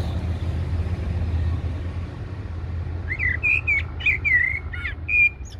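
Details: Blackbird singing by Heidelberg Castle, Eurasian species: after a stretch of traffic rumble, a rich run of fluty, rolling whistles with thin scratchy edges, ending on a short high note.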